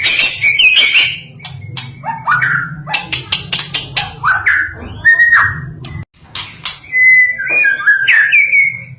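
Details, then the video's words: National champion white-rumped shama mixing rapid dry clicks and chattering notes with upward-sliding whistles and a final warbled whistled phrase, a low steady hum in the background. "The Sound of The National Champion Stone Magpie"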